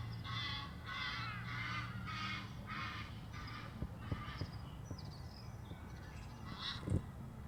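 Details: Egyptian geese at Muizenberg, South Africa, on 16 May exchange honk and flight calls: a fast run of harsh, rasping honks, about seven in three seconds, then fainter scattered calls over a low rumble and a few clicks.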